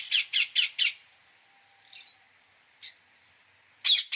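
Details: An Indian ringneck parakeet gives four evenly spaced, raspy screeches at the start. A soft chirp and a single squawk follow, then a closing pair of loud, harsh screams.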